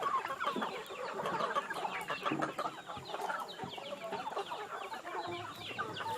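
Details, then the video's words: Free-range chickens during feeding clucking steadily as a crowd, a softer, more distant mass of short overlapping notes with little variation. "Tratando das Galinhas Caipira ou india"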